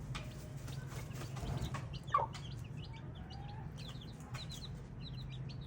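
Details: Chicks chirp in short high peeps scattered through the recording, with clicks, scratching and a brief flutter of movement over a low steady hum.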